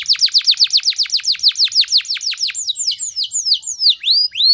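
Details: Energetic canary in the morning, singing for training other birds: a long run of identical sharp downslurred notes repeated steadily about four per second, shifting into softer, more varied whistled slurs at the end.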